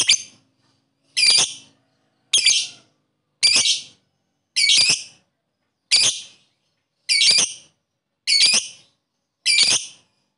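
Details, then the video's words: Lovebird sounds played as therapy to stimulate lethargic lovebirds that are reluctant to sing; sharp, high, harsh chirps repeated about once a second, nine bursts in steady rhythm, no other sounds. "Suara burung Lovebird,terapi Lovebird lesu males bunyi cepat respon"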